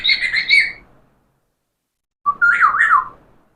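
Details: Parrot producing two bursts of speech-like chatter, the second a wavering whistled phrase that rises and falls, with a quiet gap between.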